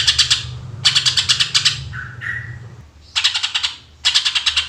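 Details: Greater green leafbird chattering in fast shot-like bursts, used as a lure: quick harsh pulsed phrases, a short gap with two brief mid-pitched whistled notes, then more rattling bursts.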